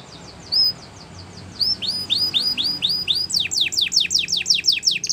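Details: Belgian canary singing for young canaries to learn from: soft thin notes, a series of arched whistled slurs, then a faster run of sharply falling notes.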